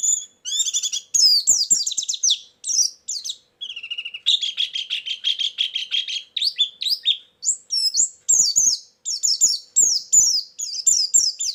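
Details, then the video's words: Lure and filler song of a white-eye: long, varied high twittering with sharp chirps, a sustained buzzy run in the middle, then rapid repeated downslurred notes to the end. "suara burung pleci pikat+isian"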